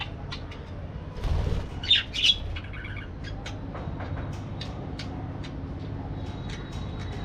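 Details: Parakeet chatter: a quick run of sharp, squawky notes with two louder bursts close together, then many thin, rapid chirps over a faint low rumble.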